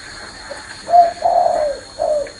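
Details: Spotted dove sitting on a hand coos clearly: a short, soft note, then a firm, drawn-out, slightly falling coo and a final shorter one, in a quiet indoor setting.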